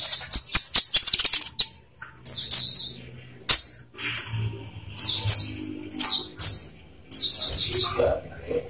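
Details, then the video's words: Olive-backed sunbird song, used as a lure to get captive birds singing: very high, thin twittering chirps in quick clusters, separated by short pauses, with soft fluttering and low background hum. "pancingan konin biar cepat gacor"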